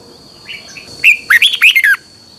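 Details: Red-whiskered bulbul morning training song in the double-voice twisting style: a couple of soft notes, then one fast phrase of about five loud, bright, slurred whistles, over a steady high-pitched hum.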